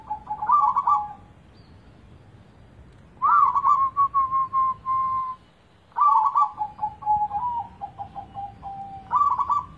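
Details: Zebra dove singing as a lure for a reluctant, non-singing bird: trilled opening notes running into drawn-out ringing coos, phrases repeated about every three seconds with brief pauses between.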